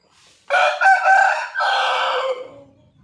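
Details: Crowing white rooster, close and loud: a rough, multi-part cock-a-doodle-doo with two quick rising syllables, then a long steady note that trails off, in an otherwise quiet setting.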